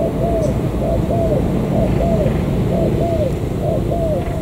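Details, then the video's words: Local wild-caught spotted dove from the An Giang border gate area in Vietnam, with short arched coos in loose pairs, partly masked by loud low-frequency rumble. "Cu gáy bổi thổ cửa khẩu An Giang"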